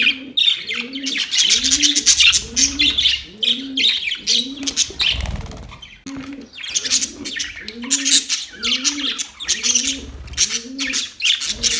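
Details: Fighting budgies chirp on October 25, 2023, with busy scratchy chatter and sharp high squeaks throughout, while a dove's low, rhythmic coo repeats about every second underneath.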